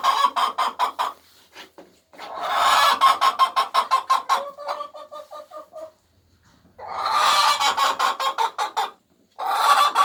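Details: Hens laying eggs give a loud egg song: fast runs of harsh, broad clucks repeated several times a second in bursts of a few seconds, with short pauses and one softer, tonal stretch between bursts.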